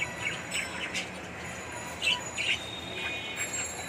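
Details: Indoor colony of captive budgerigars on a balcony in Bangladesh giving scattered short, high chirps every half second or so, with a steady hiss of background noise.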